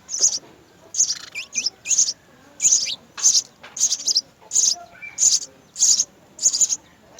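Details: At a house sparrow nest, mother and father feed three young. Rapid high chirps come in paired bursts, mixed with several lower, sliding downward notes and a quiet background.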